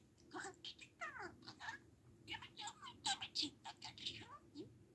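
A budgerigar chatters in rapid, scratchy, high-pitched bursts of mimicked speech, with quick warbled syllables and short pauses. The room is otherwise quiet.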